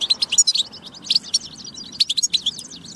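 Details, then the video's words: Tabtaba song of a European goldfinch, played to prompt other goldfinches into singing: quick high chirps and tinkling twitters tumbling one after another in dense runs, with short gaps between phrases. "بتبة فتاكة لتحفيز الحسون على التغريد والجهوزية"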